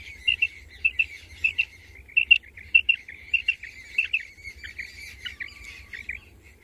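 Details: Female quail call linked to quail hunting in wheat fields: soft paired high notes repeating about every half second over steady chirping from other birds and a low rumbling hum.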